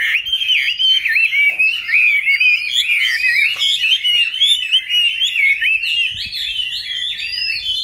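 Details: Wild-caught Chinese hwamei in its fifth year in a cage, pouring out a loud, continuous, varied song of quick whistles, slurs and trills.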